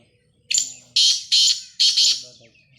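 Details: Black francolin calling with a thin rising lead note, then three strong raspy bursts, the final one doubled, and soft low sounds underneath.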